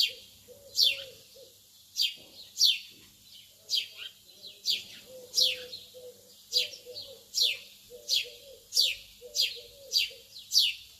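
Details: Lovebirds early in the morning: sharp, high chirps sweeping downward, repeated about every 0.7 seconds in a steady series, over a low, soft, pulsing cooing sound that runs through most of the recording.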